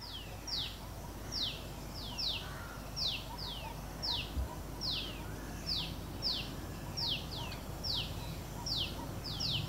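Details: Newly hatched black chicks of white-breasted waterhen, four following their mother near a flower bed in an orchard in Delhi, India: thin high descending peeps, repeated about once a second, over steady low background hum.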